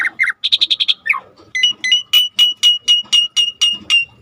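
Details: Jalak suren, the Asian pied starling, singing as a lure for birds that have stopped singing: a brief whistle, a fast run of six harsh notes, then a steady series of sharp chips about four per second.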